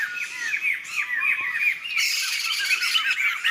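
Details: Wild laughingthrush flock in forest in Sumatra, many birds calling at once in a loud jumble of quick downward-sweeping squawks and chatters. The notes pile on top of one another without a break.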